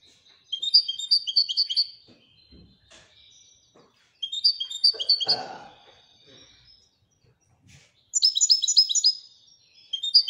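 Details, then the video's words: European goldfinch from Morocco singing the Widaniya style in three bursts of quick, jingling high notes, with soft clicks and a short rustling noise between phrases. "الحسون المراكشي لغة الويدانية"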